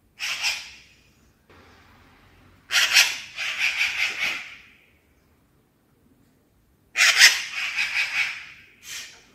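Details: A magpie chattering at night, possibly a warning call, gives harsh, dry rattling chatters in several bursts of rapid grating notes separated by short silences, over a faint low rumble.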